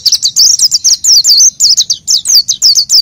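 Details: Oriental white-eye singing vigorously, used as a lure to prompt untrained white-eyes: rapid, high-pitched twittering made of quick up-and-down slurred notes run together in a continuous, lively stream.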